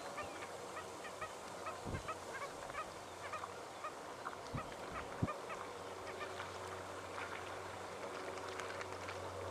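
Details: In Victoria, Australia, in September 2011, a flock of banded stilts gives dense, overlapping, nasal, almost goose-like yapping calls over a steady low hum and a few soft thumps.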